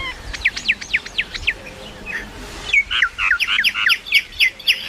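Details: Common myna producing a varied series of rapid chirps and whistled notes, several per second, turning denser and louder in the second half.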